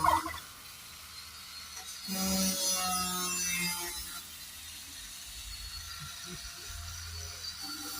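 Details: A free-range pastured turkey on a homestead lets out a single rapid, rattling gobble lasting about two seconds, over a steady background hiss and low rumble.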